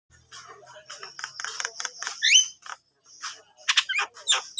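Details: Javan myna singing steadily: rapid harsh, scratchy chatter mixed with sharp clicks and one bright rising whistle, with short pauses between phrases.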